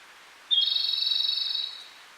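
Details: Lively wild Japanese robin singing at a small lakeside in Hokkaido, near Lake Kussharo. A brief high lead-in note breaks into a rapid, steady trill lasting roughly a second before fading to near silence.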